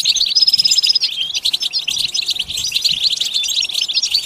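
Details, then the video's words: Goldfinch song opening with a steady, thin whistle that gives way to rapid, bubbling twitters and buzzy chirps. "Comprehensive guide to stimulating and singing the goldfinch"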